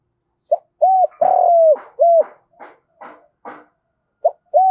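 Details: Fighting coo of a spotted dove in the giọng đồng lure style: a short note, an arched coo, a long falling coo and an arched coo, followed by a series of dry rustling flutters and a new phrase beginning.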